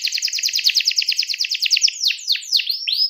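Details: Canary calling a rival in song: about two seconds of quick, evenly repeated high notes, roughly seven per second, followed by a few drawn-out descending swoops and a rising whistle.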